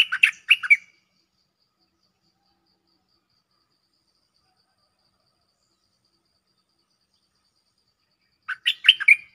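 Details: Cream-vented bulbul calling a mate, a lure recording of a strong-voiced bird; two short bursts of bubbly, chattering notes, one at the start and one about eight seconds later, with silence between and no other sounds.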